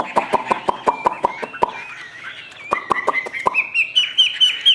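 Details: Chinese hwamei kept in a cage, song style "ngũ trường": sharp tapping clicks dominate the first part, then whistled notes climb step by step into a clearer, higher phrase toward the end.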